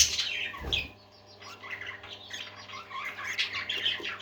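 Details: Happy parakeets kept as pets sing in a small room, with a soft chattering warble of chirps and twittered notes interrupted by a single low thump early on, and a constant faint hum behind.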